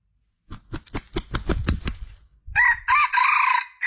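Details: Junglefowl sound played as a lure for males: a run of rapid low clucks, about three per second, followed by a loud harsh crow with a long drawn-out middle section.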